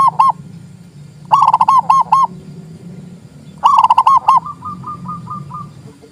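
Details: Zebra dove, local perkutut, song used as a master recording to prompt reluctant doves to sing, raise breeding drive and lure birds; three bursts of rapid bubbling coos, the last trailing into a series of softer clipped notes.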